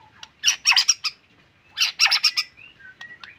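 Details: Loud harsh chattering bursts from a caged white-rumped shama in strong song, two dense rattling phrases a second and a half apart, followed by soft thin whistles.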